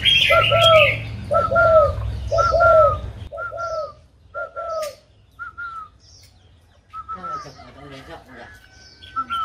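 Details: Tame spotted dove coos in a regular series of short, slightly arched hollow notes, about one each second. A low rumble and voices fill the opening seconds, and chirping and clatter follow near the end.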